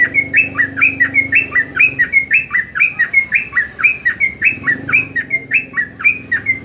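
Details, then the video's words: Sooty-headed bulbul singing a lively run of short whistled notes, each sliding down or up, given in quick pairs about once a second without pause, with a faint low hum beneath. "jogjog yahud trucuk trocok"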